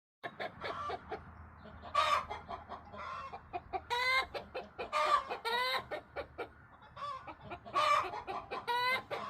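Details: Backyard free-range chickens, including bantam and silkie hens, being talkative: bursts of harmonic, squawky clucks and short rising calls come in irregular clusters, with softer single clucks between them from several birds.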